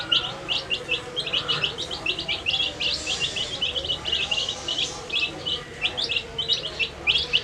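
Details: Colourful dyed baby chicks peeping while eating their food; a dense stream of short, high, sharp peeps from several chicks overlaps continuously, with faint low background noise.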